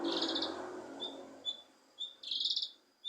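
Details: Cucak kinoi leafbird song for prompting an idle kinoi to sing: buzzy chattering bursts bracketing short clear whistled notes, with a low noisy rumble at the start.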